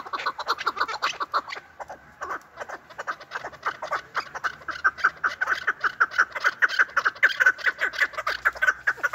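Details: Chukar partridge call for hunters: scratchy clucks start irregularly, then build into a dense, quickening chatter of repeated notes toward the end.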